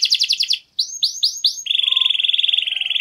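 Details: Canary in energetic, clear-voiced song, used to prompt silent canaries to sing: quick buzzy notes, then a few rising whistled swoops, ending in a rapid even trill.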